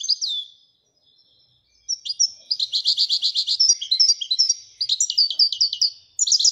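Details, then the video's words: European goldfinch from Morocco in Ouidani-style song: an opening slurred whistle, then after a pause a long, rapid stream of tinkling, high chirps and buzzy trills that runs almost without break. "الحسون المراكشي لغة الويدانية"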